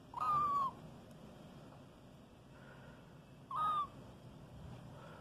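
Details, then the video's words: Albino white Indian ringneck parakeet chick from Karachi, Pakistan, giving two short, harsh, slightly downslurred squawks about three seconds apart, with faint background hiss. "White Ringneck Chick"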